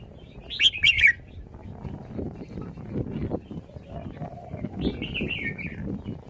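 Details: Red-whiskered bulbul showing off its song style: a loud burst of bright, quick warbled notes near the start, then a softer fluttering phrase later over a steady low background rumble.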